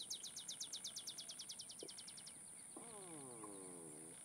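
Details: Song of an Olive sparrow, recorded 30 May 2015 at Laguna Atascosa National Wildlife Refuge, Los Fresnos, Texas. About seventeen quick, descending chips form an accelerating trill lasting two seconds, followed by a lower, drawn-out nasal call from another bird. A continuous shrill hum persists.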